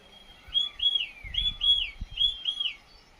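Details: Bird song in a Himalayan setting in Himachal Pradesh, India: three pairs of bright, arched whistles repeated in steady succession over faint low thumps and rumbling handling noise.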